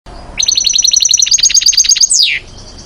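A goldfinch gives a fast, tinkling series of about sixteen bright notes, roughly nine a second, ending in a sharp downslurred note.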